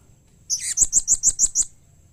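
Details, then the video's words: Blue-crowned hanging parrot giving a call said to draw quick replies from other hanging parrots: a rough opening note followed by six rapid, evenly spaced high-pitched chirps lasting about one second. "SUARA Serindit Seperti Ini Paling Di Sukai & Cepat Di Respon Bikin Nyaut Semua Burung Serindit"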